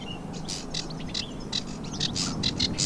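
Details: A ringed sedge warbler in the Brière regional nature park, Pays de la Loire, France, sings a rapid, scratchy run of chattering notes and short buzzy trills with a few higher whistled phrases, over a low background rumble, on 19 April 2023.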